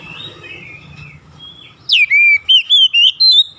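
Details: Oriental magpie-robin opening with soft warbled notes, then loud clear whistles: a downslurred note followed by several sustained, bending whistled phrases in quick succession.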